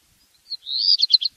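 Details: A Black redstart (Phoenicurus ochrurus) sings a brief high phrase: a couple of thin opening notes, then a rising scratchy run ending in a crackling jumble.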